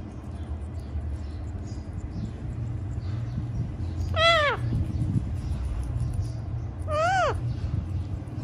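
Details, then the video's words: A talking parrot, indoors, gives two rich, arching notes about three seconds apart, rising then falling, over a steady low rumble; the parrot is said to say "mummy mummy, mitthu mitthu". "बोलने वाला तोता मम्मी मम्मी मिट्ठू मिट्ठू"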